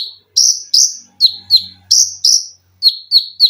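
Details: Captive Olive-backed sunbird (konin) singing paired shrill notes, bright arched pairs then rapid lower downslurred chips, with a faint low hum and soft thumps beneath.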